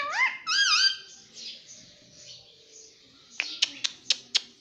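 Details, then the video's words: Pet ringneck parakeet talking indoors: two quick, nasal, wavering syllables. A soft breathy murmur follows, then four sharp clicks or taps spaced evenly near the end. "Mitthu Mitthu Bolne Wala Batuni Tota - Talking Parrot"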